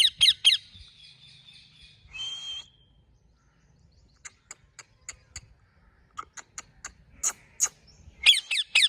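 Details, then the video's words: Ring-necked parakeet at home: sharp squawks at the start, a short buzzy whistle, then a long series of soft tongue-click ticks building into loud squawks at the close. "ring neck talking parrot"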